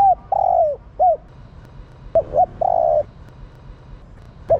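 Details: Female spotted dove cooing to stir males into calling, a Vietnamese cage bird; hooked short notes and long, level hoots that fall at the end, in two phrases with a sharp click between them.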